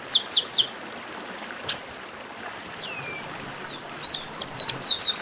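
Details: Chestnut-capped blackbird singing: three short falling notes, a pause, one downward slurred whistle, then a fast run of repeated whistled chips building louder.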